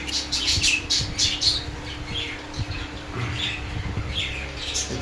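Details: Budgerigars in a breeding colony, with eggs being checked for chicks, give a quick, uneven run of harsh, squawky chirps, several each second, growing softer after the first burst. Low thumps and handling noise sound underneath.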